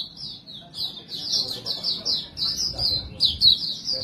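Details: Bouncy high chirped phrases from a white-breasted montanus white-eye, a song suited to lure other birds. The notes come in short repeated bursts about every quarter second over a faint low hum.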